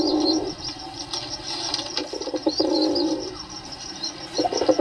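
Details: Pigeon cooing: low humming bursts of rolling coos separated by short gaps, mixed with faint high chirps and soft flapping or scuffling noises.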